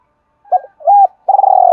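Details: Spotted dove in the two-ending calling style meant to stir wild doves fast: two short hooting notes, the second fuller, then a long rolling, vibrating coo, on a quiet background.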